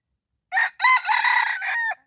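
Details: Close red junglefowl crow in the morning, recorded while decoy calling wild jungle fowl: a short opening note, then a long, loud, harmonic crow with a dropping ending, about 1.5 seconds, against silence.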